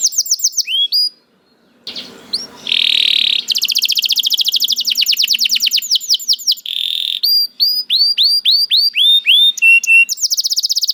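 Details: Canary singing in a varied, rich song used to prompt lazy canaries to sing: fast rising whistles, a harsh buzzy burst, long rapid rolling trills, then more quick upswept whistled notes and trills, all high-pitched, with a silent gap early on.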